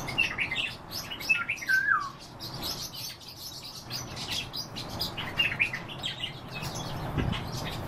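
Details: European bee-eaters (Merops apiaster) in the morning give rolling, liquid 'prruip' calls, several birds overlapping in short bursts, over a steady background hiss and faint higher chirps.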